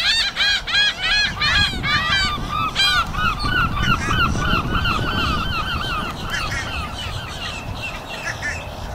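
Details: Many seagulls calling in a flock during the afternoon, an opening flurry of loud stacked cries, then strings of short arched mewing notes repeated about three per second, fading slightly toward the end.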